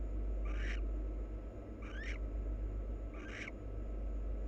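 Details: A wild pair of barn owls preening each other, giving three harsh, grating twitter bursts, one with a clear rising slur, spaced around one and a half seconds, over low constant hum.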